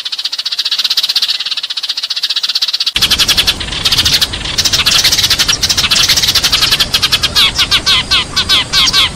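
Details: Sparrows flock-calling in a dense, busy chatter of sharp, high chirps, many birds calling at once in quick overlapping bursts that grow louder after the first few seconds; a recording used to lure whole flocks.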